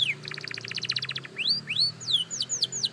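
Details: A beginner canary practising: one falling slur, a pulsed double-toned trill, then a series of rising and falling whistled notes over a faint low hum.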